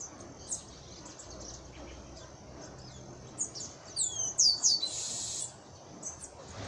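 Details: Wild chestnut-capped blackbird song, recorded outdoors: faint high chips, then a quick series of bright descending whistled notes closing in a harsh, buzzy rattle, with soft background hiss throughout.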